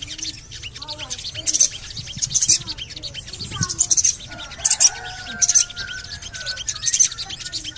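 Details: Javan cochoa calls played as therapy to make a bird sing: thin, piercing chirps in short bursts about every second, with a faint sustained lower whistle in the middle and scattered clicks.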